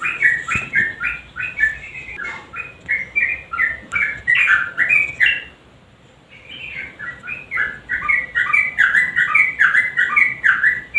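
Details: Lure recording of a singing yellow-vented bulbul: rich, liquid whistled notes tumble in short bubbling phrases, broken by a brief pause midway before the babbling resumes even faster.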